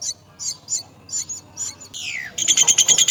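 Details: Myna looking after young at the nest: spaced high chirps, then a steeply falling rasping sweep, then a rapid series of buzzy pulsed notes.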